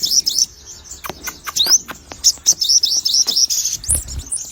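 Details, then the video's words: Sogon bird in full voice, producing rapid high chattering trills broken by quick rising slurs and a few clicks, with a brief buzzy note near the end. "burung sogon warna unik dan gacor"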